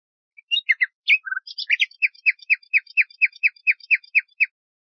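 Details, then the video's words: Song of the common nightingale, taken from a tape meant to teach Moroccan bulbuls: scattered chirps and a low slurred note open the phrase, followed by a steady series of about ten crisp repeated notes. "شريط تغريد طائر العندليب لتلقين البلبل المغربي CD chant rossignol philomèle pour bulbul des jardins"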